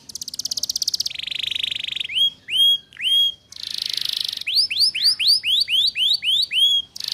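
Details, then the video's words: Canary singing in the ngeriwik style to lure young canaries into learning it. Buzzy sustained trills alternate with loud up-slurred whistles, followed by a steady series of rising whistled notes repeated about twice a second. "Suara Pancingan KENARI Paud Cepat Belajar BUNYI Ngeriwik"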